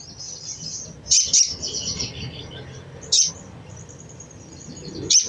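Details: Crimson sunbird giving a chattering call meant to stimulate other sunbirds to sing: four sharp, very high chips, two close together near the start, with thin high twittering running between them over a low background hum.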